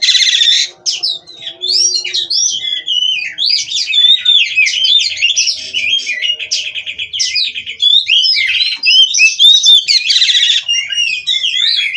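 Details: Oriental magpie-robin from a breeding farm, singing nonstop: a long, loud stream of varied whistled and warbled notes, slurring up and down, broken by rasping buzzy bursts.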